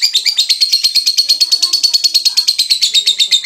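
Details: Young beginner lovebird on a terrace, tried out for its ngekek, a long chattering song: rapid, high, shrill chirps repeated about three times a second, evenly strung into one unbroken rattling stream.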